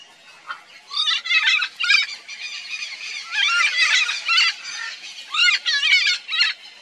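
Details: A nesting pair of red-and-green macaws gives harsh, raspy squawks in irregular bursts, several overlapping, rising and falling over a few seconds against a quiet background.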